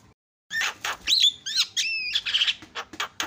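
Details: Asian pied starling song, used as a lure to provoke other starlings: loud harsh chattering bursts mixed with clear whistled slurs, one long level whistle and rising notes, delivered in quick varied phrases.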